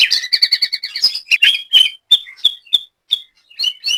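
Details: White-rumped shama from Banyumas, Central Java, Indonesia, kept for song training: a fast run of doubled, high chattering notes gives way to clear, separated whistles and short buzzy phrases, varied and loud.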